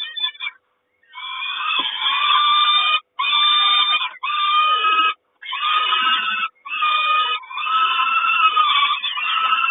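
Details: Peregrine falcon nest in Kawęczyn, 3 June 2022, during the mother's breakfast delivery: long strident wailing cries with rich harmonics, given in bursts of one to two seconds separated by brief silences.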